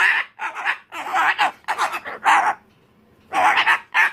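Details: Umbrella cockatoo throwing a tantrum, screaming in a series of loud, harsh, raspy bursts, about half a second each, six in a row, then a short pause before two more.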